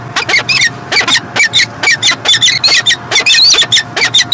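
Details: Peregrine falcon in Montreal, Canada, 2016: harsh, rasping call notes repeated in quick uneven bursts, with strong upper overtones and some higher squealing notes; a steady low electrical hum underneath.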